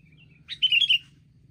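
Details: Wild sooty-headed bulbul among a group attacking together; a single loud, brief, rasping chatter of several rapid notes after a faint thin lead-in, over a steady low hum.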